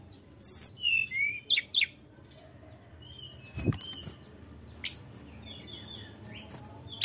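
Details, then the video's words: Sunda robin singing to provoke rivals: a brief opening of high whistles and chirps, then mostly thin faint notes and occasional clicks over a low hum. "tledekan gunung gacor Memancing emosi lawan"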